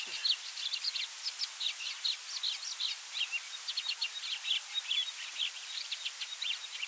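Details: A Yellow-bellied eremomela mimicking many other species, delivering a continuous stream of thin, high twittering notes, short buzzy chips and quick slurred whistles that change constantly, with steady faint hiss underneath.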